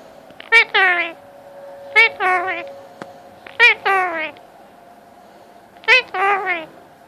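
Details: Indian ringneck parakeet, a pet male, talking randomly at cuddle time to be petted: four evenly spaced bursts, each a sharp note followed by a falling, harmonic-rich phrase, in a quiet room.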